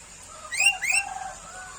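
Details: Sooty-headed bulbul uttering two swift upward-slurred notes, followed by softer lower twittering that fades out.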